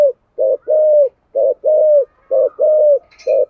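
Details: Spotted dove singing in the 'thổ' voice style, a recording used to lure wild doves: low, hoarse coos in paired short-then-long notes, each long note gently falling, repeating about once a second, with a brief higher chirp near the end.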